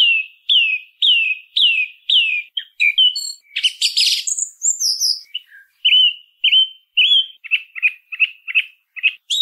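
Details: Song thrush in full song. A bright falling whistle repeats five times in quick succession, then comes a burst of scratchy, high, jumbled notes. The song ends with a run of short, even whistles repeated in series.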